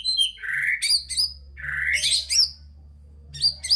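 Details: White-rumped shama full song for rousing lazy shamas: harsh, chattering bursts mixed with sharp whistled upslurs, broken by short pauses, over a faint low hum.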